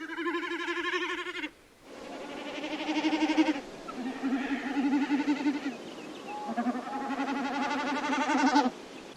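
Common snipe drumming: a hollow, fast-throbbing, goat-like bleat made by the tail feathers, repeated in four bursts of about two seconds each.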